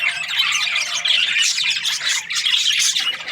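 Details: Budgerigars kept as breeding pairs giving a short burst of layered high chirping and scratchy warbles, continuous and crowded.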